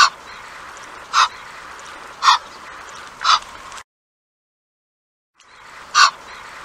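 Egyptian Goose giving harsh, hoarse honks, five in all, spaced about a second apart with a short break, over a faint steady background hiss.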